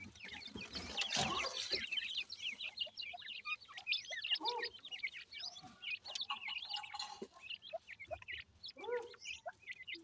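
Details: Grey francolin (dakhni teetar) chicks in India being fed, a dense chorus of short high cheeping notes from many chicks, steady throughout, with a burst of scratchy rustling early on and occasional taps.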